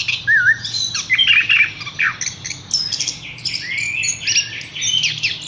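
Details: Horsfield's bush lark singing a varied, fast song of high twittering notes, short whistled wavy phrases and buzzy trills in quick succession, with no other clear sounds.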